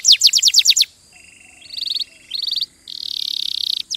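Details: Canary song with a brief burst of rapid descending notes, followed by buzzy flat trills and a long rolling high trill after short pauses.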